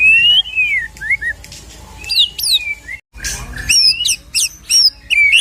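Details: Filler song of a white-rumped shama, aimed at provoking a shama into singing: rich rising whistles, and after a short break, high sharp upswept notes repeated in bursts.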